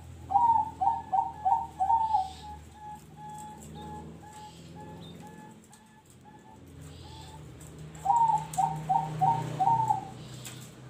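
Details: Zebra dove singing in the noklak nekung song style: two bursts of rapid, bubbling mid-pitched coos, each phrase opening with quick rolled notes before trailing into a steady run of short, evenly spaced cooing notes, with faint background hum.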